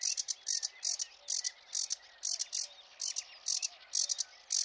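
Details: Sedge warbler singing at dawn on 8 May on a cold, foggy meadow near Biebrza, Poland. It gives a fast, scratchy chatter of harsh, buzzy high notes about twice a second, with thin whistled notes mixed in.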